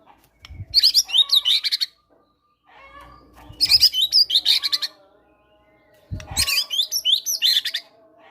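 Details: White-rumped shama, a fighter-type singer, delivering cinereous tit (gelatik batu) material to coax quiet caged birds into song: three long bursts of fast slurred whistles and chattering notes, each nearly two seconds, with clean pauses.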